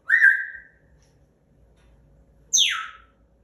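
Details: A pet African grey parrot, about two years old, gives its "bad noise" while caged in timeout: a steady, slightly falling mid-pitched whistle, then a fast sweep from very high to mid pitch.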